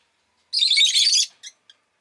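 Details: Rosy-faced lovebird kept as a pet, one long harsh rasping chirp lasting under a second, followed by two brief clipped notes.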